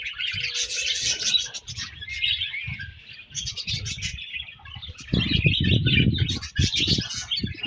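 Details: Budgerigars chirping as a colony in the morning, steady high warbling chatter from many birds over a loud low rumbling and thumping background noise.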